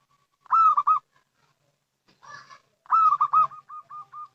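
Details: Local zebra dove, used to lure others. A loud rolling coo phrase, a softer rough burst, then a second loud coo that trails into a run of short evenly spaced notes.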